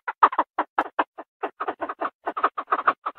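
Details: A Chinese francolin (Francolinus pintadeanus) hen calls the male in a fast run of harsh clucking notes, about seven a second, steady in pitch with brief pauses.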